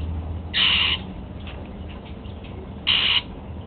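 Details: Pet male Golden-fronted Leafbird eating apple for breakfast gives two short, harsh, bright notes about two seconds apart, each lasting under half a second, over faint low background hum.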